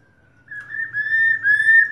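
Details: A female black-throated laughingthrush, calling to stimulate a male, gives one long, clear, steady whistle held over a second and rising slightly at the end.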